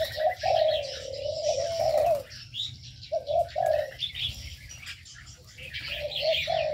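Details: Caged aviary birds: a long low coo, a pause, then shorter cooing bursts, mixed with bright twittering chirps from other birds in the enclosure.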